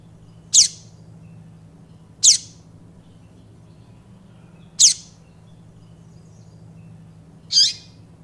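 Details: Papa-capim giving single sharp, high, downward-sweeping notes, spaced irregularly about two seconds apart, with a faint continuous low hum behind.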